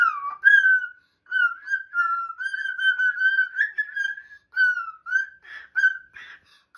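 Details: Pet cockatoo inside a home whistling a happy tune: a long stream of clear whistled notes, wavering and sliding, broken into phrases, ending with some scratchy fragments.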